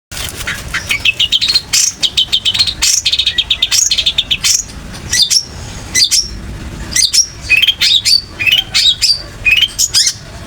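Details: Long-tailed shrike, a skilled mimic of other birds, singing a master song used to train other birds: fast series of sharp high chirps and short rising notes in quick bursts, with brief pauses between phrases and a clean background.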